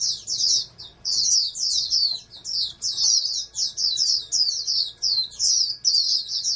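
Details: Oriental white-eye raised in captivity as a candidate national champion, repeating short, high, slurred twittering phrases at a brisk pace with brief gaps between them; faint continuous hum under the song.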